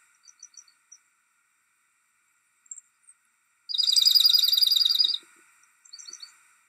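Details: Dark-eyed Junco at Riverwood giving a rapid, even, high trill of about a second and a half, with a few soft, thin chips before and after.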